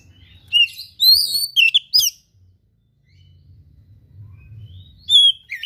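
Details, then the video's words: An oriental magpie-robin sings a mimicry-filled song of rare material: sharp whistled and chattering phrases over about a second and a half, a long pause, then another bright whistled phrase, with a low background rumble. "KACER GACOR SPECIAL FULL ISIAN MATERI LANGKA"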